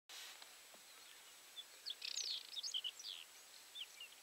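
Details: Wild aquatic warbler calling from the grass, filmed while watched through a telescope: dense bursts of dry, chattering and buzzy notes mixed with short high chips, clustered over about a second and a half, then scattered single notes against faint steady background hiss.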